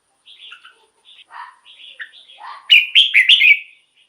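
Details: Red-whiskered bulbul song played to excite caged bulbuls: scattered soft lower twitters and slurred notes build up to a loud, ringing warbled phrase of four bright notes.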